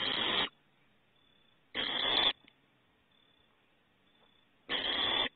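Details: Young owls outside the nest at Starr Ranch on 21 April 2018 give loud, noisy half-second hisses, three bursts spaced irregularly over five seconds, with quiet background between.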